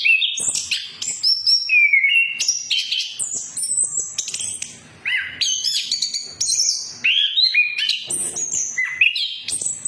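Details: Lure song of an orange-headed thrush, meant to start a non-singing bird, ngeplong style: bright whistled phrases and quick rising slurs, sweeping notes and scratchy chips, delivered almost without pause over ten seconds.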